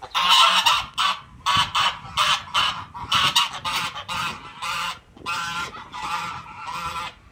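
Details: Geese honking loudly and repeatedly, harsh nasal honks in quick bursts of two or three with short pauses, several birds calling over one another, little background noise.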